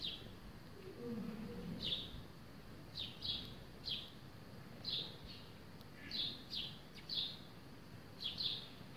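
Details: A sparrow at a terracotta water feeder and bath gives about a dozen short, bright chirps while bathing, single or paired, roughly once a second, over a soft rumbling background.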